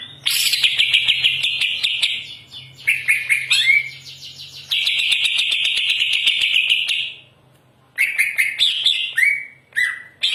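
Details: Greater green leafbird singing hard and pouring out varied material: long runs of fast, high, rattling warble broken by short gaps, with sliding whistled notes and bursts of quick chips toward the end.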